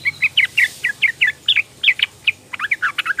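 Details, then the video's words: Young female sooty-headed bulbul calling to males, used as a lure to get quiet males singing: a steady run of short chirpy notes, some upslurred or downslurred, about four per second with a brief pause in the middle. "PANCINGAN TRUCUKAN BETINA MUDA memanggil jantan trucuk malas bunyi jadi ropel gacor"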